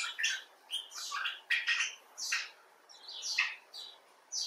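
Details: Expressive talk of a common bulbul (Pycnonotus barbatus): separate quick scratchy notes and short harsh bursts spaced irregularly, with quiet gaps between clusters.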